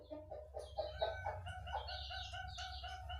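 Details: A zebra dove, kept and bred as a perkutut, gives a quick run of soft, rolling coos in a mid-pitched, slightly trilled series, over a steady low hum.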